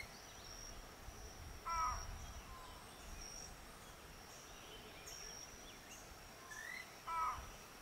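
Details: Keel-billed motmot recorded at Rio Santiago in Honduras giving two brief, low, raspy croaks about five seconds apart, with a constant high-pitched insect whine and soft distant bird notes behind.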